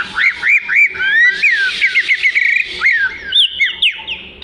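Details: Oriental magpie-robin singing melodiously for song tutoring: a quick series of looping whistled notes repeated several times, then a fast chattering trill and varied sliding whistles, with strong, clear phrasing.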